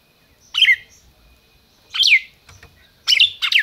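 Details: Captive-bred red-crested cardinal in Brazil giving ringing, falling whistled notes spaced over a second apart, ending with two quick bursts in a row. A soft low murmur lies underneath.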